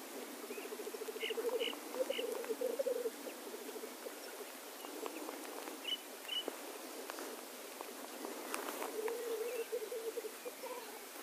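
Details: Male black grouse at their lek, a steady low bubbling roll of quick pulses swelling and fading, with several short hissing sneezes and faint background bird chirps.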